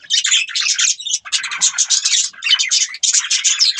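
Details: Budgerigars chirping and chattering, a dense buzzy warble of rapid high notes in bursts about a second long, broken by brief pauses near the middle and end.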